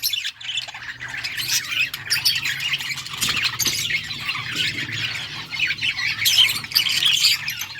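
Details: Yellow budgerigars chirping, August 6, 2024: continuous soft scratchy warbling chatter with a few brighter squeaks, over a low steady hum.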